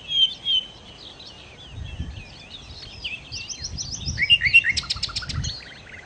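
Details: Nightingale (sikatan londo) song: clear whistled opening notes, then a varied warbling jumble of twitters, followed by fast repeated notes and a short rough buzzy rattle; faint low rumbling beneath.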